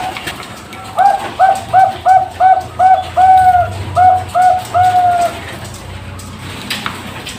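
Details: Captive-bred Bangkok-type zebra dove from a bird farm in Pasuruan, East Java, Indonesia, hatched 24 September 2023, giving its full song: a quick run of about ten soft, rounded cooing notes, a few drawn out longer, against faint background hiss.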